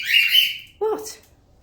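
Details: A hungry cockatiel in an aviary at feeding time gives a harsh, high, slightly falling screech, begging for food and attention.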